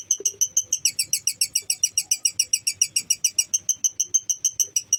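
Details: A lovebird's ngekek, recorded to make other lovebirds agitated and combative: an unbroken stream of piercing, grating chirps, rapid and rhythmic at about three and a half per second.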